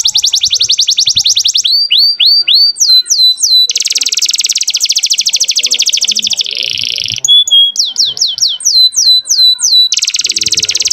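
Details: Young canary's varied, continuous song, used to tutor young birds and to bring hens into breeding condition. Rapid high trills alternate with descending whistled slurs and long dense buzzy rolls, with a lower buzzy tour in between.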